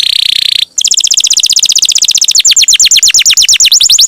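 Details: Canary song meant to stir other canaries to sing: a buzzy held note, a short gap, then a fast steady rattle of clipped notes that slows into sweeping downward whistles.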